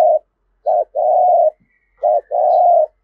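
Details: Spotted dove calling in the full 'thổ' voice style, used to stir newly caught birds into cooing and fighting calls; a brief low coo, then two phrases of a short note followed by a long, steady, mellow coo, in a quiet setting.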